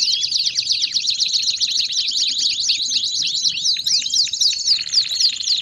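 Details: Rowdy 'baderna' canary song used to warm up other canaries: nonstop rapid run of sharp zigzag notes, roughly four each second, ending in a faster metallic trill.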